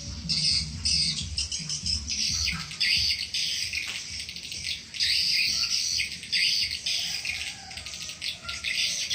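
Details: Swiftlets, played as a calling and luring sound to attract them: dense, high twittering chirps in quick pulsing bursts that run throughout, with a steady low rumble underneath.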